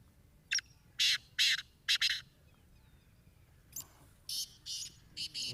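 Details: Captive Black Francolin calling while sitting, possibly alarmed by kites or a hawk overhead, gives harsh, grating notes in a quick phrase of four; a fainter rasping phrase follows, likely another francolin calling nearby.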